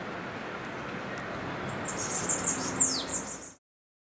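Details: Bananaquit (Coereba flaveola) recorded in São Paulo, Brazil, on 09/01/23, giving a burst of very high, thin, buzzy twittering notes in quick succession over a steady background hiss.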